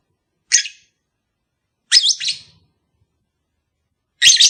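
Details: Lovebird call played to encourage a long-unmated kept pair to mate: three separated bursts of sharp, high, rasping chirps, the middle one doubled, with silence between.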